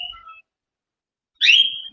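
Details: A pet cockatiel, calling to be taken out of its cage, gives a short, clear whistled note, then after a pause a louder, harsher whistle that rises and falls. Nothing else is heard.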